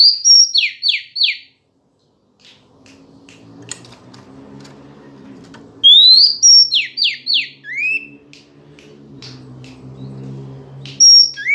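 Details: Female white-rumped shama singing to provoke males into answering: bursts of sharp, high descending whistled notes and upslurs, two phrases separated by a pause, over a low background hum.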